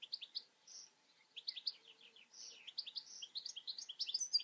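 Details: European goldfinch giving a lively twittering song: clipped high chirps and slurred notes in quick series, a short lull, then a busier tinkling stretch to the end.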